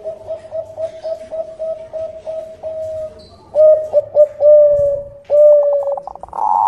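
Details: Bangkok zebra dove lure song, a steady series of short, evenly spaced coos that runs into longer, louder held notes, ending in a rapid burst of clipped tones.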